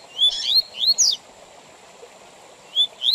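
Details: Double-collared seedeater, Tui Tui Zel Zel song with gaps, meant for training young males and tournament birds: a phrase of rising whistled notes ending in a bright slur, a pause, then two more upslurred whistles.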